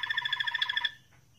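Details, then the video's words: A Moroccan Malinois canary sings a rapid, rolling trill of rich, low, bell-like notes, pulsing about twenty times a second for nearly a second before falling silent. "تغريد جميل لكناري مالينوا"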